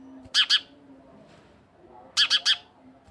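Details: Bright, clipped chirping from a house sparrow, first a pair of notes and then, after a short gap, a quick triplet, with quiet low hum behind.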